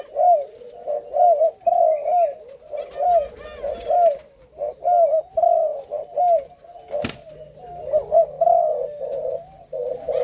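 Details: Malaysian-line spotted doves kept as a breeding pair, male matched with a female; steady series of short, low, bubbling coo phrases repeated roughly every second, with faint higher chirps from other birds and a single sharp knock.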